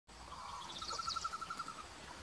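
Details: White-throated bee-eater, a summer breeder, at Raydah Preserve, Abha, Aseer region, southwest Saudi Arabia: a quick run of about ten short, liquid trilled notes at mid pitch over a second, with faint higher chirps and steady background hiss.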